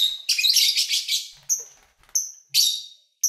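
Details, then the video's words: Captive lovebirds chattering while feeding and playing: a dense, rasping, high squawk run of about a second, then a string of short, sharp chirps and clipped squeaks spaced roughly half a second apart. "1 Hour Lovebird Sounds"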